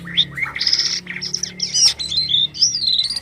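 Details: Strange-sounding song of a white-vented myna in full voice: a short dense phrase of high buzzy chirps and slurred whistles, rising and wavering, over a soft low background hum.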